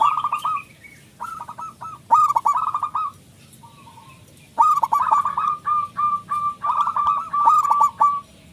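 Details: Local zebra dove with a loud voice, played to provoke other doves into singing: fast clusters of short, staccato coos, with a pause in the middle, then a long run of evenly spaced cooing notes and light clicks.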